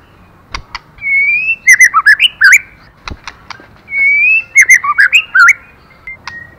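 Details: White-rumped shama hen singing to stir up a male bird: two matching phrases, each a long rising whistle and then a quick run of sharp chirps and twisting notes, with a few loud clicks between phrases.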